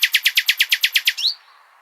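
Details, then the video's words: A common nightingale delivers about ten loud, evenly spaced repeated notes in just over a second, ending in a rising slurred whistle and then silence. The phrase is meant for goldfinches to learn. "تغريد جميل للعندليب لتحفيظ طيور الحسون"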